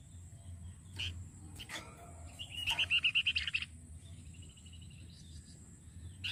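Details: Flamboyan performing a training song for other cage birds: isolated soft chips, then a clear rattling trill of about a dozen quick, even notes lasting a second, followed by a faint thin warble and hum.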